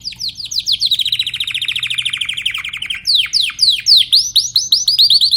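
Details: Timbrado canary singing a rapid trill of quick downward-slurred notes that runs for about three seconds. A louder phrase of wide, sweeping descending notes follows, each note sharply separated.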